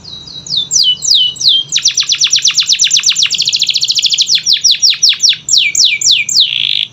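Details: Canary song for coaxing quiet birds to sing: repeated falling slurred whistles lead into a fast pulsing trill of sharp notes, then more evenly spaced downslurs and a final buzzy phrase.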